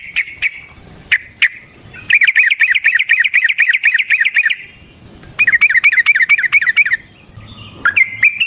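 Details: Yellow-vented bulbul in long rolling 'ropel' song, played as a lure so other bulbuls sing: a few sharp notes, then two long runs of fast, warbling, chattering notes.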